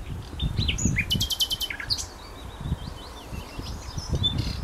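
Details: Wild birdsong recorded near Feldberg, Mecklenburg-Western Pomerania, Germany, 27 May 2011: varied high whistles and chirps with a rapid dry rattling trill, several birds calling amid low rumbling wind and rustling.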